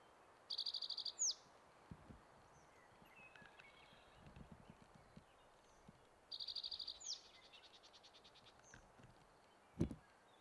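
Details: Spotted towhee, a male on territory, singing at Metcalf Wildlife Management Area in Nebraska on May 23, 2023. Two songs about six seconds apart, each a rapid high trill ending in a falling slur. Soft thumps and a sharp click between them.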